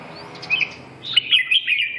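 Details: Red-whiskered bulbul singing a brief phrase: a few soft high whistled notes, a short pause, then a louder run of bright warbled, slurred notes.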